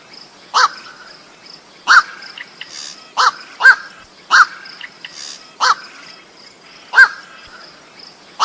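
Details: White-breasted waterhen calls used as a lure to draw waterhens to a trapping spot: loud harsh croaking notes repeated roughly every one to one and a half seconds, with a faint steady high insect-like hum behind.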